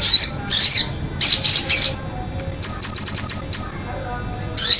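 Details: Olive-backed sunbird song: bursts of high, sharp chirps, then a quick run of short piercing notes near the middle and another bright chirp at the end, with quiet gaps between phrases.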